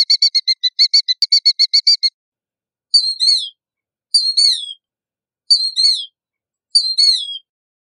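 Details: Killdeer opens with a fast run of about fourteen short, even, high notes, then gives four louder drawn-out slurred cries, each dropping in pitch, spaced about 1.3 seconds apart, with nothing else audible.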